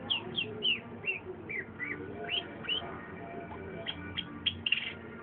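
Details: Long-tailed shrike chattering song: a series of high, downslurred whistled notes repeated about twice a second, followed by short sharp chips, over a faint low hum.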